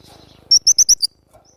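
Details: Javan grey-throated white-eye in full lively voice: a quick series of five high, clear, slightly falling whistled notes evenly spaced, then a faint trailing note.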